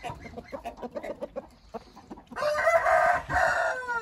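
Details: Hint roosters: quick, soft clucks for two seconds, then a long, loud, harsh crow, briefly broken and resumed, running to the end.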